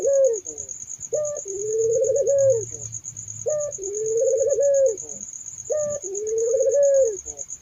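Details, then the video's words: Barbary doves, described as melodious and soothing, in a mix of their voices: low coos repeated about every two to three seconds, each a short rising note then a long wavering coo, over a steady high-pitched ticking tone. "suara burung puter merdu syahdu"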